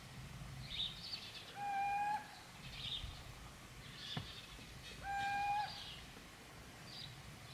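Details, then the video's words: Little owl recorded in Gmina Podedwórze on 2 November 2018: two long, steady, clear whistled notes with faint overtones, spaced about three seconds apart, over low background rumble and faint chirps from other birds. "Pójdźka / Little Owl / Athene noctua"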